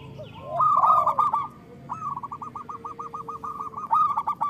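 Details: Local zebra dove singing, meant to coax other doves into song: a loud stuttering coo opens, a brief gap follows, then a long even row of quick beaded notes that swells again at the end.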